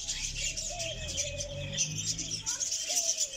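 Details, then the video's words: Close-up of a calling Diamond dove in North Rhine-Westphalia, Germany: a long, gently wavering low coo that dips and rises, then a brief second note near the end, set against steady high-pitched chatter and a low hum. "Diamanttäubchen ruft"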